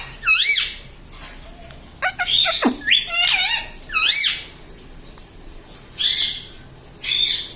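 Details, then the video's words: Talking pet parrot in a small room, said to repeat papa, mummy and radhe radhe: short, loud, harmonic, wavering syllables in irregular bursts, with brief quiet gaps and a few clicks between them. "papa papa bolne vala parrot || parrot talking mummy papa"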